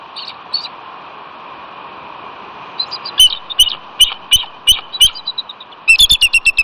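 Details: Bald eagle pair at a nest on the west end of Catalina, California, on a chilly February day, calling after the incubating male is startled by his mate; high, sharp piping notes repeated rapidly in a run of about a dozen, over steady wind.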